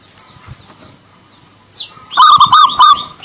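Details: Javan local zebra dove song, used as a therapy sound for birds reluctant to sing: after a quiet start and a brief rising squeal, a burst of rapid, ringing cooed notes on one pitch closes the clip.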